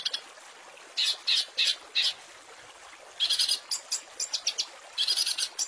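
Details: Long-tailed shrike song on a training master with rich fill-ins for white-rumped shamas and small birds: groups of four harsh chattering notes, a pause, then denser scratchy bursts and chirps.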